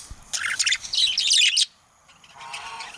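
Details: A male budgerigar pours out a dense, rapid run of squeaky chirps and scratchy warbled notes. It breaks off abruptly, then resumes softly with a lower, buzzy murmur.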